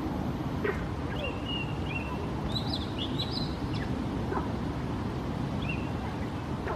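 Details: Oriental magpie-robin singing in Singapore: a few thin, high whistled notes and quick sweeping phrases, spaced irregularly, over a steady low rumble of background noise.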